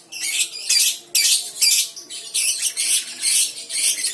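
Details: Young lovebird (balibu) chattering in ngekek style, scratchy high squawking bursts of about half a second each, repeated with brief gaps.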